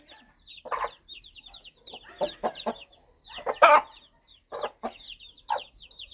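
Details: Mother hen calling her baby chicks in the countryside, her gentle clucking guiding them toward warmth, food and safety; low, soft clucks come in short bursts while the chicks answer with high, thin, down-slurred peeps throughout.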